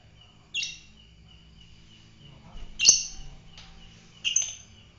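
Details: Fighter lovebird giving three sharp, harsh, high chirps spaced about two seconds apart over a faint steady high whine and low background hum.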